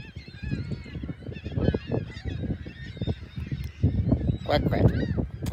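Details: Gulls on the beach at South Haven, near the lighthouse and pier, on the morning of March 21st, 2021. Irregular nasal, arching calls, denser toward the end, over a low wash of waves.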